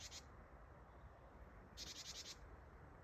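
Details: Japanese tit calling close by on 8 December 2025, its buzzy "ji-ji-ji-ji" call described as meaning "gather": a brief rasp at the start, then after a pause a half-second burst of rapid buzzy pulses.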